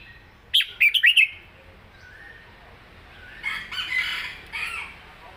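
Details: One quick phrase of four sharp, slurred whistles from a caged red-whiskered bulbul in southern song style, then a burst of rough, broadband fluttering noise.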